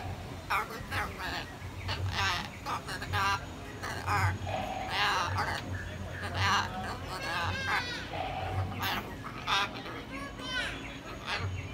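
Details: Hyacinth macaw at San Diego Zoo Safari Park, 21 February 2021, talking a lot: bursts of hoarse, speech-like vocalizations with stacked tones, repeated about once a second, over a low background rumble.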